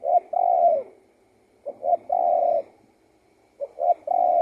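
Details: Spotted dove singing three low phrases in a row, each a brief note, a short coo and a long level hoot, repeated about every two seconds, the last phrase cut short.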